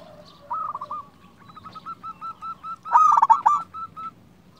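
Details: Local zebra dove in full song, meant to excite other zebra doves into answering: a quick cluster of coos, then a long string of soft, evenly spaced short notes, a loud rattling burst, and a few trailing coos over low background hum.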